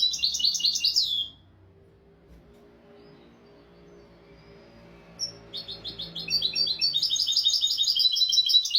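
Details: European goldfinch royal tutor song for teaching goldfinches and canaries: about a second of quick tinkling twitter, a pause of several seconds, then a sharp note and a renewed rapid, liquid, high-pitched warble.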